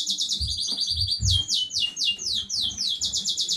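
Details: Song of a young domestic canary from new breeding, 15 May 2019: a fast buzzy high trill, then a loud sequence of sharply falling whistled notes repeated several times a second, with dull knocks in the background.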